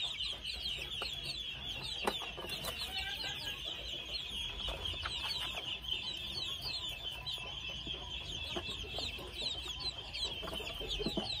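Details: Red junglefowl chicks, two months old, chirping constantly in quick, overlapping high notes, with faint low clicks and a continuous shrill background hum.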